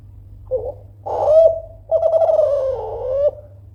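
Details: Loud call of a Kelantan spotted dove meant to stir rivals into answering: short opening note, a rising mellow coo, then a long rough, pulsing coo sinking gently in pitch, over a low hum.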